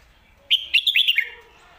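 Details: Red-whiskered bulbul, a professional competition bird kept in a cage, delivers a crisp lak wai or mae bot phrase of about six rapid, clear, downslurred whistles, each note loud and distinct.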